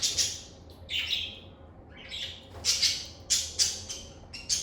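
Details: Chirping lovebirds recorded in a calm environment: shrill, scratchy squawks and chirps, a pair at the start, then a pause, then a rapid run of piercing notes.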